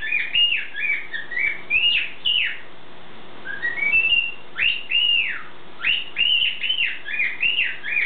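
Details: Morning song of a pet bird kept indoors: rapid bursts of loud arched whistles, each swooping up then sliding down, broken by a short rising ladder of notes, continuing almost without pause over a low hum.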